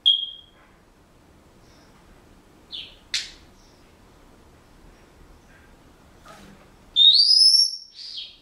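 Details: A captive male Senegal parrot at home, learning a song. Scattered short chirps and a sharp squeak over quiet room noise, then a strong rising whistle with a ringing overtone, followed by a brief softer note.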